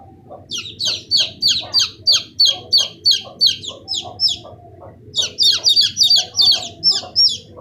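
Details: Peeping of 15-day-old chicks: a long run of sharp, high, descending cheeps about three a second, a brief lull near the middle, then another rapid burst, with low hum underneath.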